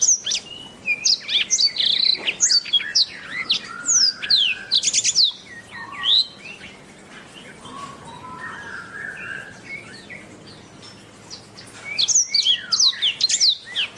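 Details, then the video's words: Black-throated canary song in two long phrases of rapid high chirps, whistles and a buzzy trill, with a quieter stretch of low warbled notes between them. "KICAU BURUNG BlACKTHROAT"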